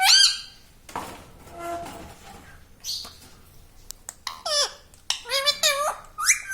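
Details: Pet parrot chatting in a human-like voice, said to be saying words such as "Mummy" and "Papa"; a late run of quick, bending, harmonic squawk-like syllables follows softer scattered sounds and a few sharp clicks.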